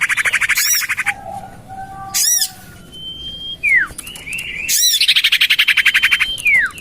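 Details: Common iora lure call used to attract birds for trapping, tested in a garden beside a house: fast buzzy rattling trills alternate with long, level high whistles that end in a sharp downward slur, with bursts of bright chattering.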